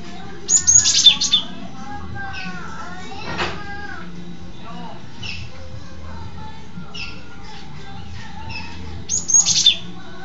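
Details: Cinereous tit in full continuous song, filmed from beneath: shrill high bursts open and close the passage, with scattered short chirps and whistled notes between them over steady low-pitched background noise.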